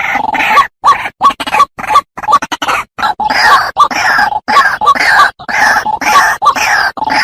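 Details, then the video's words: Lure recording of a white-breasted waterhen for use in the wild: rough, grunting croaks delivered in quick series, broken by sudden brief gaps, loud and harsh with strong overtones. "Suara Burung Ruak Ruak"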